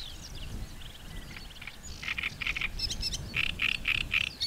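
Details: Great reed warbler singing in a reedbed, loud harsh strophes of short repeated syllables, grating chunks pulsed in quick series after a quieter stretch of thin whistles from other birds.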